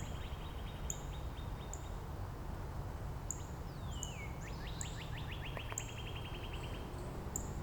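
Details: Neighbouring Northern Cardinals in Angrignon Park trade variants of their song themes. Faint quick upslurs come first, then a long whistled downward slide, then a brisk run of about a dozen rising units. Short high chips and steady low hum underneath.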